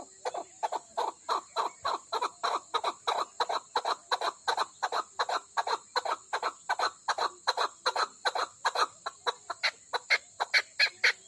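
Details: A female chakor (Chukar partridge), a prized kept Pakistani bird, calls in a rapid, unbroken run of about thirty clipped chuk notes over eleven seconds, loud and regular throughout, with a thin steady high hum behind.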